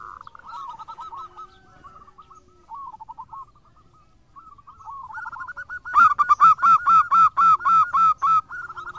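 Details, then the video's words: Actively singing local zebra dove, a lure recording: soft rolling trilled coos at first, then a loud, even series of short hooked coo notes, roughly four each second. "Perkutut Lokal Gacor"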